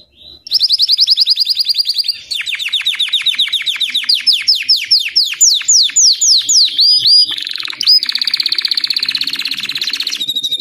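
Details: White topknot Belgian canary singing a long varied phrase: quick rising chips, a run of steeply falling sweeps, then a sustained rapid trill.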